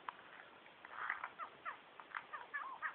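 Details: Male superb lyrebird singing from behind bushes, running through a repertoire of mimicked calls and sounds; fairly faint, varied short notes and quick slurred whistles in close succession against a steady background hiss.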